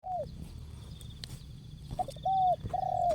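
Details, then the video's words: Spotted dove (tekukur), Asia, singing a short 'jergot' style song: mellow, arched coos, one falling note then a stuttered pair and two long level coos, over low rumbling background and a faint steady high tone. "Jergot,Tapau, Bungkus Burung Tekukur/Terkukur"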